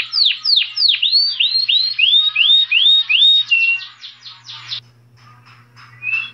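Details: Saffron finch song of fast repeated whistled notes, first downslurred, then rising upslurred, about three per second, followed by a quieter stretch of scattered chips and a final short whistle.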